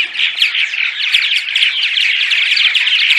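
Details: Purple martin morning vocalizations, played to attract martins to a nest house: a dense chorus of gurgling, chirping calls, many birds overlapping continuously in a steady bright wall of sound.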